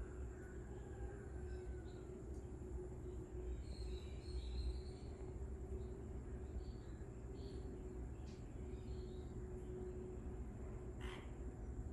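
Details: A steady low rumble of passing rail or engine noise fills the recording, with no clear animal calls.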